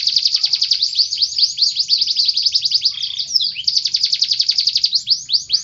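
A canary sings a long, unbroken run of rapid, high trills and rolling phrases, the notes packed tightly together with only a brief change of tour midway.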